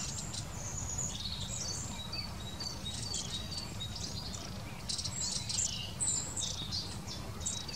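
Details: Long-tailed tit producing a steady run of high, thin, sibilant call notes, growing busier toward the end, over persistent low background noise.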